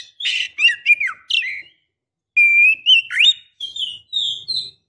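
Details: Female Oriental magpie-robin calling to a male to make him aggressive and vocal; harsh buzzy notes and slurred whistles, a pause, then a long level whistle and rising upslurs.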